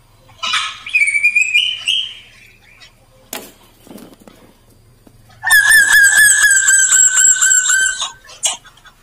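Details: Male black drongo singing actively, used as a lure song to make other birds sing: a rising whistled phrase with rich overtones, then after a pause a long, wavering, ringing harmonic phrase, with a few clicks between.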